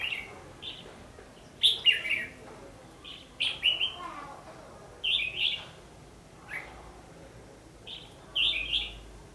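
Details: Red-whiskered bulbul fighting song used as a lure in bird trapping, recorded 14 December 2015: short bright warbled phrases, about one every second or two, some doubled, over a quiet low hiss.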